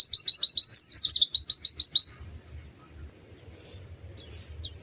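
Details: White-eye song, lively and sweet: a couple of seconds of fast, repeated high rising slurs with a downward sweep partway, then near quiet with low hum and two short high notes at the end.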